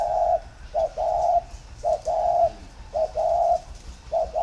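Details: Spotted dove from a bird garden in Ba Vi, Vietnam, giving a warm, low three-note coo in the style called tho pha. Each phrase is a short note followed by a longer, steady note, repeated about every second.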